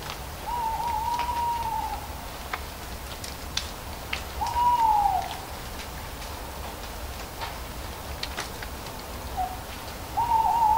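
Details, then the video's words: Hooting owl with leaves falling around it: steady, level tonal hoots repeated roughly every four seconds, each ending in a small downward slur, with light clicks and crackles from leaves throughout. "Hooting Owl"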